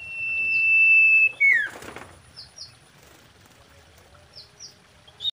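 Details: Common iora song used as a mating-season lure: a long steady whistled note that ends in a sharp downslur, then a brief wing-like rustle and soft paired high notes, with a faint low hum beneath.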